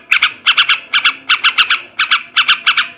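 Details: Male yellow-vented bulbul, ngebrem and ngekek garuda song used to stimulate breeding: short rasping notes bunched in threes, repeated about every half second.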